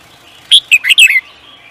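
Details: Close, loud phrase from a bird kept for singing competitions: a clear high whistled note, then a rapid tumble of three or four chirps that slide downward, lasting under a second.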